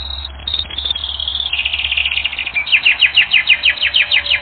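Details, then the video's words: Canary in a training recording sings a high sustained note, then a rapid chattering trill that shifts into a series of fast, evenly spaced downward-sweeping notes, about three per second and rising in loudness. "Canary Training Record N°10"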